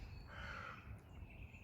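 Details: Carrion crow calling in Warley Woods during a winter bird walk: one harsh, drawn-out caw with a steady tone lasting about half a second, set against a constant low hum of background noise.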